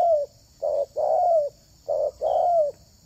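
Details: Low mellow cooing from a spotted dove kept to lure wild doves, short note then longer falling note, the pair repeated steadily.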